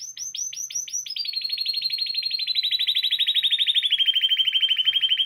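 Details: Spanish timbrado canary singing as a training model: a few separate high rising notes, then a dense rolling trill of rapid pulses that gradually descends and grows louder over five seconds.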